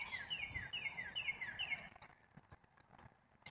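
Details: Black-capped chickadee producing a quick sequence of descending notes at an even pace for nearly two seconds, followed by scattered clicks and taps.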